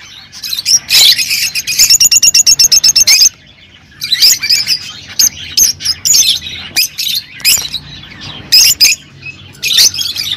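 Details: Lovebirds, rosy-faced and Fischer's, singing to encourage mating: a fast, evenly pulsed rattle of high notes lasting about two seconds, followed by scattered piercing chirps and squawks.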